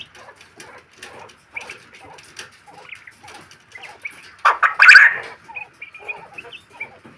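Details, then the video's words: A male quail gives soft, clipped chips and clucks at an uneven pace, then a sudden louder, harsh burst of calling before settling back to quiet notes. Finding: Quail. "Male Quail"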